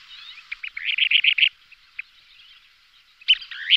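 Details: Kentish plover pair calling during aerial display: a quick run of six or so short bright notes around mid-high pitch, a couple of isolated clicks, then a louder rising-falling pair of calls near the end.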